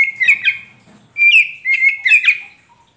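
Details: Lure recording of a kacer poci magpie robin, meant to get a caged bird that has gone quiet to sing along. A short scratchy phrase is followed by two bright, slurred whistled phrases with chattering notes, in a clean recording.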